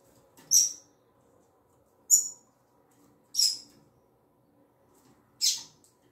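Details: Female double-collared seedeater, tui tui zel zel song type: four sharp, high, slightly buzzy single notes spaced one to two seconds apart, over a faint low indoor hum.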